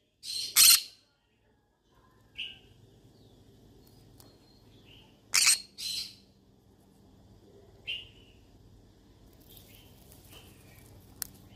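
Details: Seeking someone to talk to, a yellow-sided conure opens with a loud double squawk, then gives scattered short buzzy chirps and another pair of harsh calls over a long, fairly quiet stretch.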